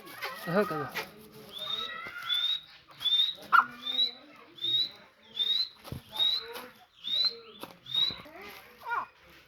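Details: Grey francolin giving a steady run of high, slightly rising whistled notes, about one every 0.7 seconds for several seconds. Scattered lower clucks and a few sharp clicks come before and between the notes.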